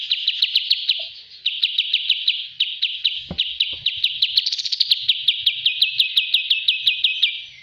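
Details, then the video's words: Bulbul song from a training recording, a steady stream of rapid, regularly repeated bright chirping notes, each a short sweeping whistle, running almost without pause with a brief gap near one second and a soft thump midway. "master Ampuh burung kapas Tembak"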